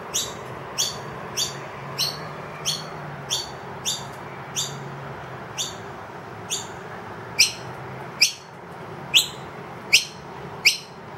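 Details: Wild noisy miner adult with two young inside a room, calling loudly for food after the feeder runs empty: sharp rising chirps repeated about every half second, steady series over low room hum.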